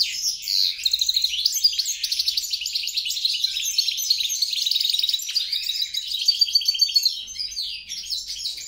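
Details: Mule goldfinch, European crossed with grey-crowned, pouring out a lively, jumbled song of rapid chirps, twittering trills and sharp high notes without pause.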